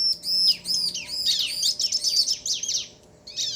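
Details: Male and female bar-winged prinias answering each other, used to excite other birds: dense overlapping high arched whistles and buzzy notes, pausing briefly before a final burst.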